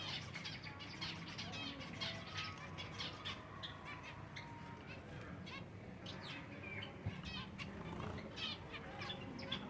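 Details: Silver Java sparrows feeding, many birds calling at once: busy bursts of sharp chirps and short buzzy trills, a few longer thin whistled notes, over a continuous low background rumble.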